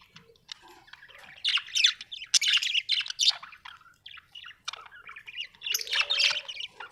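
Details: Several budgies kept at home warbling continuously, a busy stream of high, scratchy chirps and squeaks rising to louder bursts, with a soft lower tone near the end.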